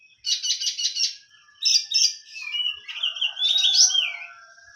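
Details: Kept oriental magpie-robin opening with a quick series of four buzzy, rattling notes, then sweet slurred whistles that rise and fall, ending in a bright warbled flourish.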